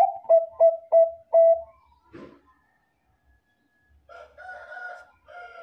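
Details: Bangkok zebra dove song meant to attract other doves: four rapid low coos and a held note, then a short rustle and a different harsher two-toned call near the end.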